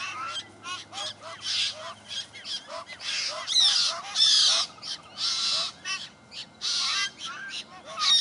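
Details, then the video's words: A party of White-winged Choughs in south-east Australia that care for their young give a display to a fledgling: harsh, rasping group calls every second or so, mixed with thin rising and falling whistles. "White-winged Chough Display"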